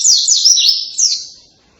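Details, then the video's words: Loud white-eye song likened to a canary's: a short burst of high, rapid sweeping whistles that slide up and down, then fade away within about a second and a half. "kicauan keras pleci rasa kenari tembakannya edaaann"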